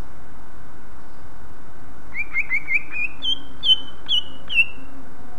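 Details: A greater green leafbird gives a song used to prompt other leafbirds to sing: a quick run of about eight clear, whistled notes, rising in pitch after a silent start, over a steady low hum.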